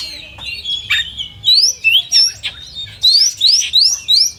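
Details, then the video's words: Oriental magpie-robin (kacer) song arranged as a competition simulation: clear upward-sweeping whistles repeated roughly every quarter second, mixed with buzzy chatter and short tweets. "SIMULASI LOMBA KACER TERBAIK"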